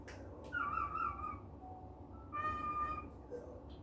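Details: Pet cockatiel in a good mood, calling indoors: a drawn-out wavering whistle with stacked harmonics, a pause, then a second long steady whistled note, with a short lower note near the end over a low background hum.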